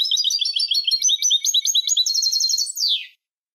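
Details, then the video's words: European goldfinch song for teaching young goldfinches: a continuous fast, rippling twitter of high liquid notes and trills, ending in a falling buzzy slur, with nothing else audible. "الشريط الملكي لتسميع فراخ الحسون 2020 - Goldfinch Song - Jilguero Canto"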